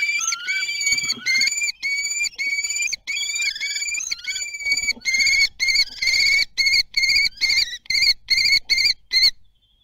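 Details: Common kestrel family at the nest, Théding, 9 June 2022, webcam: loud piercing harmonic calls given in rapid overlapping series, some slurred and wavering, then short clipped repeated notes before falling silent.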